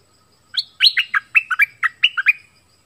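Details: A single Orange-headed thrush phrase, used as a lure for wild birds and a teaching song for young birds: roughly ten clear, slurred notes dipping and rising, fairly measured, ending in a drawn-out trailing tone.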